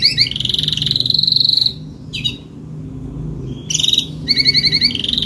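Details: Adult Spanish Timbrado canary with a salsa song: a steady rattling trill, then near silence broken by a quick chip, followed by bright slurred notes and rapid repeated rolls.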